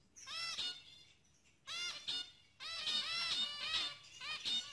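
Zebra finches give nasal, toy-trumpet beeps in quick overlapping bursts, several birds calling at once with brief pauses between the flurries.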